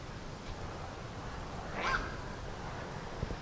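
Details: A black-crowned night heron (Nycticorax nycticorax) gives a single harsh, hoarse, brief croaking 'kwok' over a steady low rumble of wind or distant noise.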